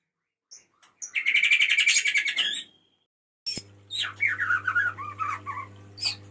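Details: Male white-rumped shama calling to a female: a harsh, rapidly pulsed chattering phrase, a pause, then varied slurred whistled notes over a steady low hum.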